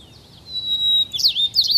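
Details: White-crowned sparrow near Portland, Oregon: a clear, steady whistled note followed by quick buzzy, jumbled trills, then a person whispering "shh".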